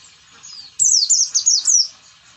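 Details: Oriental white-eye lure song in the ngalas style, meant to coax quiet or unmotivated white-eyes into singing: one fast, shrill phrase of about a second of sharply falling twittered notes run together, after a soft high chatter.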